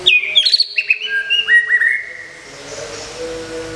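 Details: White-rumped shama, a caged contest-winning bird kept in moult care in Indonesia, sings a quick run of clear whistled notes stepping down in pitch over two seconds, then trails off into a quiet background with faint steady tones.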